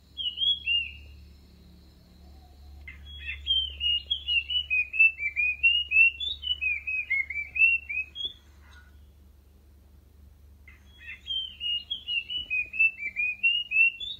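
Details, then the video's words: Orange-headed thrush singing to lure birds closer, with bursts of rapid, varied whistled notes rising and falling, separated by short pauses, over a faint low hum. "เสียงนกกรงดินหรือกระจาบดินอกลาย เสียงชัดเจน นกเข้าไว"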